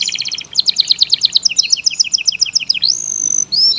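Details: Canary of the local, AF or AFS type sings a quick stuttering burst, then alternating high and low rapid chip notes, followed by a rising drawn-out whistle and a short sharp flourish.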